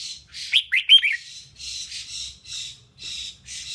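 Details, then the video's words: Singing female red-whiskered bulbul, used to rouse males. Three quick, bright upslurred chirps give way to steady, evenly spaced raspy buzzes, about two per second. "Kích chào mào mộc hót! Tiếng chim chào mào yếu lửa hót không đè"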